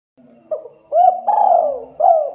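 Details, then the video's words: Spotted dove calling to other birds to answer: a soft opening note, a short coo, a long coo sliding downward, then a final short coo. "Suara burung tekukur deruk derkuku Gacor memanggil TEMAN Ikutan RESPON Bunyi"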